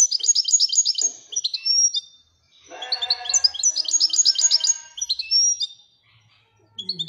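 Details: Moroccan goldfinch delivering Wedania song: dense, rapid trains of ringing chirps separated by pauses, with a thin rising whistle and a rough lower buzz under the middle phrase.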